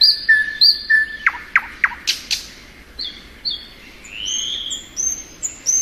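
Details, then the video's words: Thrush nightingale singing in spring: long pure whistled notes, then a series of sharp descending clicks and a rising, drawn-out whistle, with high thin notes above. "Nightingale Song.(Luscinia)."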